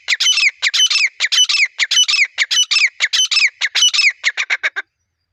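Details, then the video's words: Partridge call for attracting birds on a hunt: an unbroken, rapid sequence of raucous, squealing, strident notes, nearly two per second, that ends in a few shorter, thinner notes before falling silent. "Acha Teetar Viral Voice"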